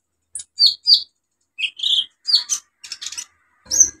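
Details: Energetic olive-backed sunbird song meant as a lure for birds that stopped singing: short high squeaky notes in small groups, buzzy chirps and a sharp final call, with short gaps between.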